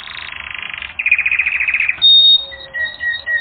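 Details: Training-recording canary gives a buzzy rolling trill, then a brighter faster roll, then a sharp high note followed by long steady whistled tones.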